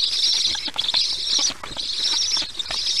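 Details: Black stork chicks on a nest cam give harsh, high wheezing hisses in bursts of about a second, with soft patters and knocks between, as parent Karl delivers lunch, 22 July 2019, 1:39 p.m. EEST.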